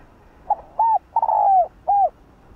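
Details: Spotted dove (cu gáy) with the 'hạp bổi' voice utters a four-note coo. A faint opening note, a short hoot, a long falling note, then a closing hoot. The setting is quiet.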